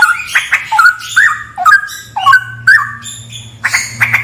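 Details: Straw-headed bulbul in a haunted cave, delivering quick liquid whistled notes that jump up and down, with a husky burst at the end. A steady low hum sits underneath.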